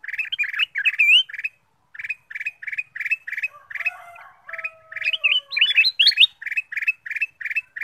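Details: Black-capped bulbul song meant to lure other birds into singing: a lively stream of repeated chirped phrases, some swooping upward, with a brief pause and faint thin whistles midway.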